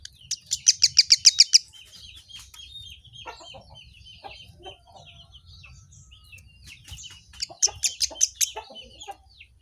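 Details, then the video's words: Kemade bird, said to respond to anything it hears, opens with a quick run of about ten piercing high notes, then scattered chips and twitters, ending in another fast burst of sharp chirps. "suara asli burung kemade|| kemade apapun langsung nyaut"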